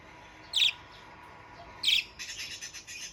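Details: Budgerigar beginning its lively singing: two bright, sharp chirps about a second apart, then a busy run of softer, buzzy twittering.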